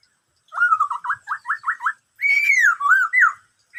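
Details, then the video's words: Black-throated laughingthrush singing the phrase known locally as "bắt cô trói cột", one of its many varied sounds: a slurred whistle, then five quick repeated whistled notes, then long clear rising-and-falling whistles in a quiet setting. "em khướu bạc má hót bắt cô trói cột [noog sab hwj quaj suab ntau yam zaj suab]"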